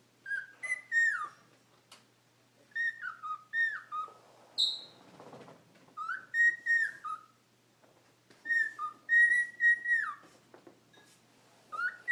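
A cockatiel chatters in bursts of clear whistled notes that slide up and down between short pauses.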